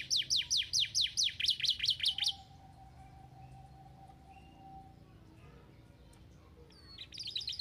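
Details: Canary singing to encourage lazy canaries, opening with about ten loud, quickly repeated falling whistles over two seconds, then a long quiet stretch with a faint low hum before song begins again at the end.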